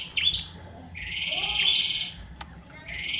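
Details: Lively Bar-winged prinia song. One short rising buzz is followed by a longer, drawn-out buzzy phrase and then another beginning, all high and sharp, with soft background hum.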